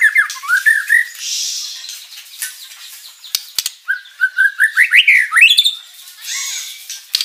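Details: White-rumped shama singing with plenty of mimicked material, meant to provoke a reply from other birds: a rising run of slurred notes, a pause with background hiss, then climbing staccato notes ending high.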